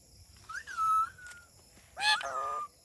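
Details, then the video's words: Parrot vocalizing: two smooth, tonal whistled phrases, each rising then gently falling, separated by a short pause. Faint clicking in the background. "Amazing Talking Funny Parrot"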